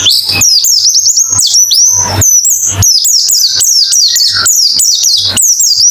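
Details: Fast white-eye therapy song, meant to get birds singing ngalas with open beak: an unbroken stream of quick, high, thin whistles, each sweeping down then flicking up, packed tightly together, with a faint low electrical hum beneath.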